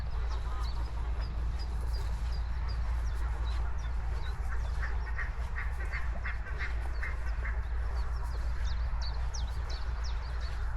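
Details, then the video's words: Geese on open grassland, a row of short nasal honks repeating through the middle seconds over a steady low wind rumble, with thin high chirps of small birds scattered throughout. "Goose Sounds"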